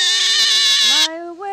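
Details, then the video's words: Five-year-old pet Yellow-collared macaw singing along with its owner; a loud, harsh, even note held about one second, then a woman's softer sung hymn line takes over. "Yellow Collared Miniature Macaw: Singing"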